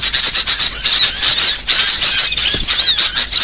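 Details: Varied small-songbird song for training songbirds: intense high twittering made of quick upward and downward whistle flicks, repeated densely across the whole stretch.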